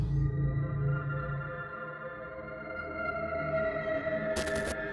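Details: Slow ambient synthesizer music with droning tones and layered harmonics, ending in a short burst of bright noise.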